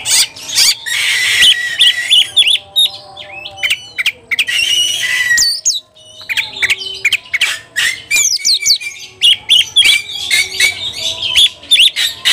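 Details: White-rumped shama singing hotly while seeking an opponent: long run of rich whistles, upward and downward slurs, rasping squawks and sharp clicks, broken by short silences.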